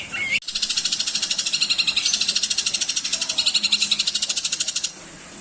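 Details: Long-tailed shrike singing a tutor song for other songbirds: a brief rising whistle, then a long, steady, buzzy rattle of rapid even pulses lasting about four and a half seconds before it stops.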